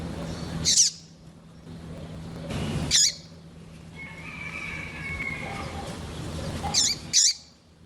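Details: Chirpy female double-collared seedeater calling to stir up males: four abrupt, high, clipped chips in two pairs spaced several seconds apart, over a soft background whistle and a low constant hum.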